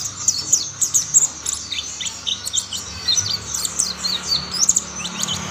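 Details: Mountain white-eyes in a chorus, more birds soon joining the singing: a busy stream of high, sharp twitters and short down-slurred chirps, packed closely together.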